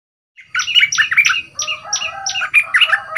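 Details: Rich, bubbling song of a young caged bulbul being trained as a decoy, two months caged with a big voice: fast chattering, fluty notes that tumble into longer warbled phrases, continuous for nearly three seconds.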